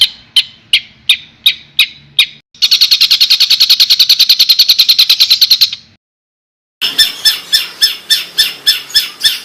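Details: Songbird master recording of rough 'tembakan' fills for training competition birds: sharp chip notes repeated about every third of a second, then a dense buzzy rattling trill, a brief silence, and another rapid series of ringing notes.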